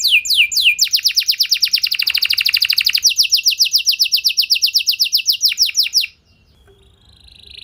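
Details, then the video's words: Long continuous canary song meant to provoke other canaries into singing: quick falling notes lead into a dense rapid trill, then steadily repeated notes for several seconds before the singing stops and near silence follows. "Bakal Terpancing Jadi gacor Panjang Burung Kenari Lain Segala Kondisi! Ikut Gacor Pasti Ngeplong"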